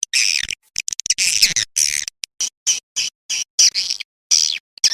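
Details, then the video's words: Swiftlet lure call played to draw swiftlets into roosting in a nesting building, suited to new buildings: high, buzzy, crackling chatter in short bursts separated by brief silences, about a dozen bursts within five seconds. "Suara Panggil Walet"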